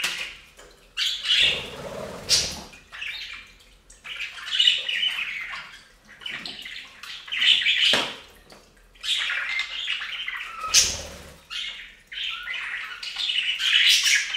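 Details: Bathing budgerigars on a fountain keep up scratchy, high chatter while water splashes and sloshes heavily at intervals of a few seconds.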